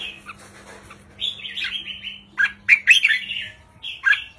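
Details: Short, easy song of a red-whiskered bulbul in the 3-4-5 counting style. A drawn-out warble is followed by several quick, separate liquid notes.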